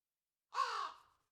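A crow gives a single harsh, hoarse caw lasting about half a second, fading at the end, with silence around it.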